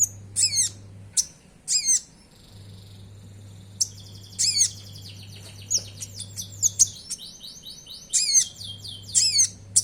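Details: Oriental magpie-robin gacor song with sogon-type filling, used as a lure for caged birds: rasping down-slurred notes, then a dense stretch of rapid high twittering and chattering phrases, steady low hum underneath.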